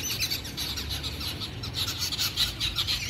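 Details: A flock of babblers, labelled jungle babblers but also described as yellow-billed babblers, chatters in a dense, harsh, overlapping squeaky babble, with a low rumble of background noise underneath.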